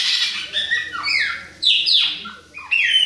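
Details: Short burst of Bahia-type Chopi blackbird song, adult and young bird present: bright whistled notes sliding downward, a brief gap, then more loud rising whistles.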